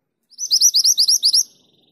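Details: A female mountain mantenan calls the male with a clear, loud run of seven sharp upswept whistles, very high-pitched and evenly spaced, over about one second.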